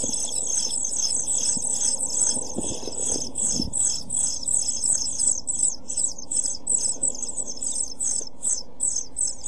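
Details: European pied flycatcher chicks, seven days old, begging inside a nest box in June, recorded by a nest box camera: a dense, continuous chorus of very high, thin, rapid chirps with rustling and scraping in the box.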